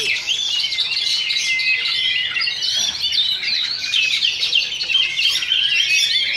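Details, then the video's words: Oriental magpie-robins duelling at a Sunday practice singing contest in Sindanglaut, session two. Dense, overlapping high song of rapid twittering phrases, sweeping whistles and chattering notes runs without pause, with a thin steady whistle beneath. "Oriental Magpie Robin Singing Contest"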